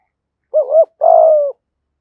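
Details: Spotted dove kept as a decoy, giving one 'thổ'-style song phrase: a dipping double coo followed after a short break by a long, level, faintly rough coo that sinks at its close.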